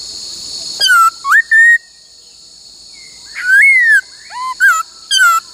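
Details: Laughingthrush, a female used to stimulate males during song training, singing clear whistled phrases: rising and falling slurred notes near mid pitch, separated by short pauses, with a steady high electronic hum behind.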